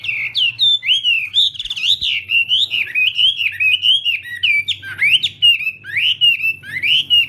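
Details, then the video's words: Chinese hwamei singing in a contest-style morning voice-training session: loud, continuous run of slurred whistled phrases, rising and falling notes repeated rapidly with rich ringing overtones, steady faint low hum underneath. "Hoạ Mi Hót Đấu /hoạ mi hót sáng luyện giọng kich bổi sổ giọng chim hót hay mỗi ngày/"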